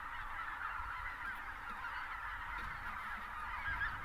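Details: Greater white-fronted geese by the thousands in South Texas, south of Uvalde, in winter as pelicans lift off; constant massed honking chorus, individual higher yelps standing out near the end, low background rumble.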